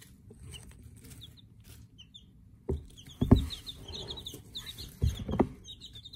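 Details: Day-old Silver Laced Wyandotte chicks in a brooder: bright, short, downward-slurred peeps become frequent in the second half, overlapping in quick bursts, with several dull thumps and a soft low rumble beneath.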